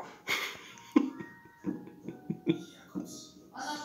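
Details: An African grey parrot talks in short, clipped, speech-like bursts with breathy syllables and a closing cheer, a Russian New Year's greeting ending in "hurray", against a faint steady background tone.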